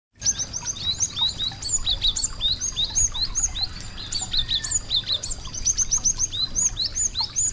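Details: Small songbird singing sweetly: a dense chorus of high, sharp chirps and short whistled notes, several birds overlapping continuously, with steady low background hum.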